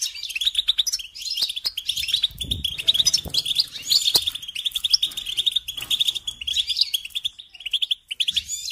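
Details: Goldfinch song for training young songbirds: nearly nine seconds of unbroken, lively twittering, with tinkling notes, buzzy trills and quick repeated chirps tumbling together.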